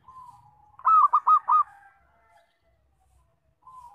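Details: Local zebra dove singing loudly as a lure for trapping: one rolling phrase of four quick, stuttered coos, framed by soft, long whistles from other birds.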